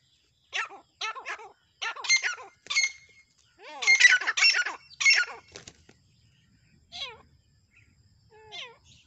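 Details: Fighting francolins with bursts of harsh, grating squawks mixed with wavering, bent squeals, then quieter scattered squeaks toward the end.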